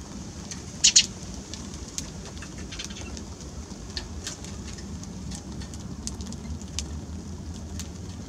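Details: Eurasian tree sparrow giving a quick pair of sharp, high chirps early on, followed by sparse faint ticks over a steady low rumble of background noise.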